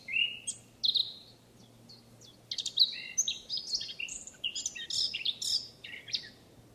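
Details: Song of a wild Eurasian blackcap in France, starting with a few separate chirps, then a dense, jumbled warble of quick high notes and short whistles sliding up and down.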